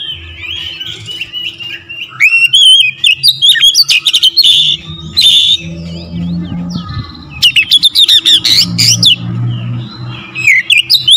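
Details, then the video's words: Oriental magpie-robin in loud, continuous song meant to trigger other magpie-robins. Varied whistled phrases mix with rapid chattering notes and sharp clicks, coming in bursts over a faint low hum. "TERAPI KACER LAIN LANGSUNG TERPANCING EMOSI GACOR DOR"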